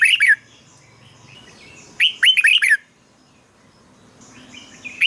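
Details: Red-whiskered bulbul song meant to excite caged birds or act as a decoy; a brief note cluster followed by a rapid string of bright whistles, with low background chatter.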